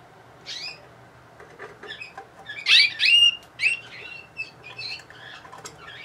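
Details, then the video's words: Bulgarian canary from Sofia, 2020, singing scattered song phrases: quick high chirps, downward-sweeping whistles and a brief loud burst of rising and falling notes midway, with pauses between phrases. "Bulgarian Canary"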